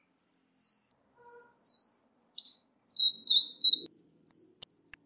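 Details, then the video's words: Ruby-cheeked sunbird calls used as a lure: paired high downslurred whistles, a sharp chip, then a busy string of overlapping high whistled slurs, no background noise. "Tiếng chim Xanh tím mồi chuẩn mp3 không tạp âm| Ruby-cheeked Sunbird | นกกินปลีแก้มสีทับทิม"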